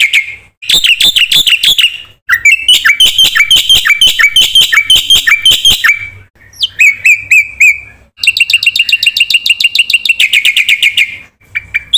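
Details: Energetic Black-winged myna song rich in varied content, used to coax non-singing birds: loud ringing whistles, rapid buzzy trills and rolling chatter in long phrases broken by brief pauses.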